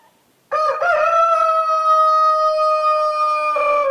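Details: Domestic rooster crowing on a farm in the Massif Central in winter: after a short rough start, one loud, long, steady held note stretches for over three seconds with rich harmonics, ending in a slight dip.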